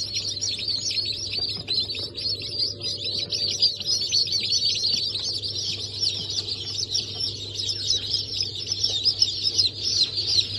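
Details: Freshly hatched chickens of four breeds, Brahma, Sultan, Sussex and Wyandotte, on 28 January 2024, fill the air with an intense, unceasing chorus of high descending peeps above a steady low hum.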